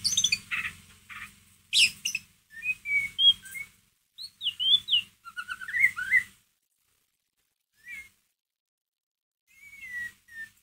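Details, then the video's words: White-rumped shama giving ngeriwik-style song, used as a lure to stir another shama's emotion: varied whistled slurs, rising and falling notes, and sharp chips in quick bursts, with gaps and faint low hum beneath. "MURAI BATU PASTOL NGERIWIK COCOK BUAT PANCINGAN EMOSI MURAI ANDA"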